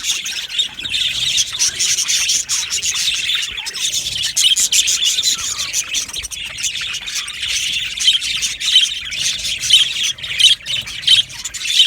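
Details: Budgerigars chirping in an aviary colony: a dense, continuous chatter of many overlapping high-pitched chirps, warbles and short squawks. The chatter pulses slightly in loudness throughout, with no other clear sounds.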